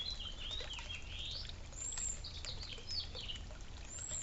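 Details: Birds eating and drinking at a suburban feeder and water fountain give bright, high chirps and rising-falling twitters in quick runs, with faint water trickling and low background hum.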